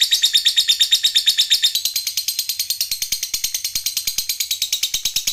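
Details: Lovebird giving a long trilling ngekek song, a master recording for training other birds: a fast, continuous high chattering trill of rapid repeated notes, about three per second, unbroken for the whole stretch.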